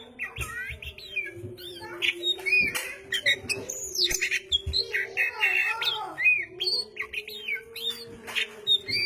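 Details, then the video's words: Oriental magpie-robin singing vigorously: a busy run of varied whistles, rising and falling slurs and harsh squawky notes, mostly high-pitched, over a steady low hum throughout. "Burung Goci / kacer Gacor corrr...."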